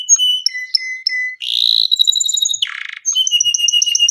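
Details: Long gacor canary song for baiting: clear whistled notes, a buzzy roll, a harsh burst, then fast repeated high trilled notes.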